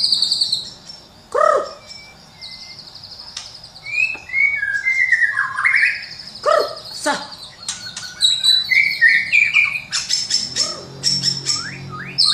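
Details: White-rumped shama singing a rich, varied song full of fills, used to train birds in the morning: upward-sweeping whistles, short buzzy notes and sharp high chips, with loud swooping notes near the start and middle.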